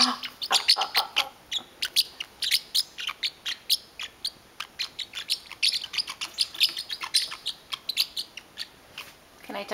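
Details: Indoors, a pet parrotlet defends his blanket, angry every time it is touched: a long run of rapid, high, scratchy chirps, several per second, loud and nearly unbroken for almost ten seconds while a person talks to him.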